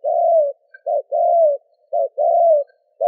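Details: Spotted dove giving coo, urging and calling notes meant to provoke wild doves: long, low, slightly falling coos alternate with short doubled notes in a steady rhythm about once a second, clean and without background noise.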